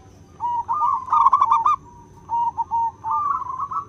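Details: Wild local zebra dove in full, lively song, recorded for bird luring: repeated rolling, trilled coos in short bursts with brief pauses. A soft low rumble and a thin constant high whine sit behind.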